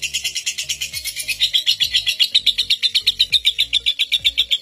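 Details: Champion lovebird with a record seven-minute non-stop ngekek, used to prompt young lovebirds; very fast, regular, high-pitched buzzing trill that steadies in pitch as it runs, low music pulses beneath.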